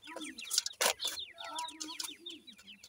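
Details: Grey francolin family, a mother feeding her chicks: a busy stream of thin, downslurred peeps from the young, low soft clucks beneath, and a couple of loud broadband bursts.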